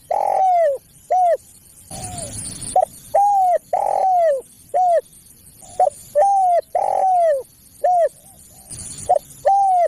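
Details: Spotted dove call used as a lure to attract other spotted doves and to train captive birds: loud, clear, arched whistled coos, repeated quickly in rhythmic groups, with brief bursts of hiss between phrases.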